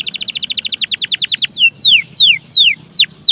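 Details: Strongly singing canary, intended to stimulate other canaries: a fast train of about fifteen repeated notes, then slower, drawn-out falling whistles about every third of a second.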